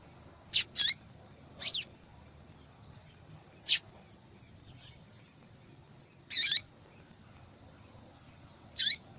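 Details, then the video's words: Female Double-collared seedeater calling often to stimulate males to sing; a run of irregular high chips, some single, some paired, about seven calls in nine seconds plus a couple of faint distant notes. "Fêmea de Papa capim Chamando Muito para Esquentar papacapim !"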